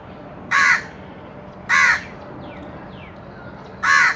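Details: While eating baigun chop, a crow utters three hoarse caws about a second apart, with faint thin descending notes heard between them.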